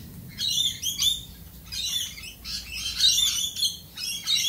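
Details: Australian galah calls in dense, shrill, high chattering bursts that come in quick pulses with short gaps, loud and close throughout.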